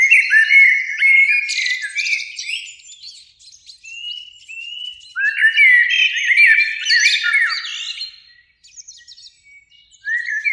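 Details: Two Eurasian blackbirds sing in a spring beech tree near an evening lake; several long warbled phrases of flute-like notes, each trailing into shrill twitters, separated by brief gaps, with a new phrase starting at the end.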